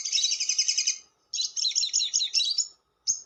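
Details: Long lovebird chatter, ngekek panjang, used as a lure: two sustained trains of fast, shrill pulsed notes, the second more varied and warbling, ending with a short chirp.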